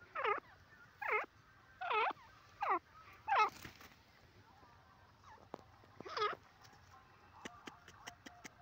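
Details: Francolin uttering a repeated series of downward-sweeping, ringing notes roughly every second, then pausing; quick faint ticking sounds follow near the end over a low background hum.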